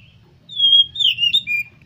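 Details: Oriental magpie-robin song played to encourage other birds to sing: a long pure whistle sliding into a rich warble and a final drawn-out whistled note.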